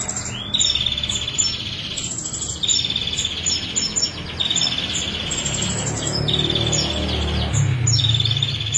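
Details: Female ashy prinia in crystal-clear song during a 22-second unbroken stretch: long buzzy, rattling trills held at one pitch, broken by short sharp high ticks, with a low steady background hum.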